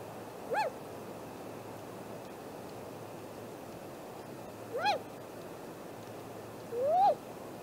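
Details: Great grey owl at a nest tree on a nest cam, 7:15 am, 2 April 2018, with calls coming from the camera tree during an extended visit: three short, whistled, rise-and-fall calls a few seconds apart, the last longer, over a quiet background.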